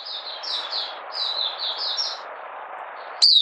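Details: Malaysian Oriental white-eye, caged and in minor moult, out of form, 31 July 2023, buka sing: a short run of repeated downslurred high notes over heavy background hiss, then a sudden loud chip.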